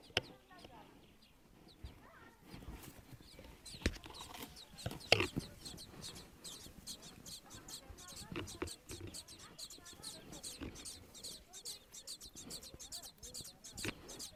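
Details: Sparrow nestlings, a few days old and still blind, begging for food as a hand moves above them, mistaking it for a parent. Thin, high cheeps start sparse, then become a dense, rapid chorus of overlapping peeps.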